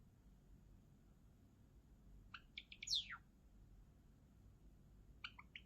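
A Java sparrow sings a quick run of high clicking chips ending in a thin, downward-sliding whine, then starts another short chip burst. A faint low hum sits underneath.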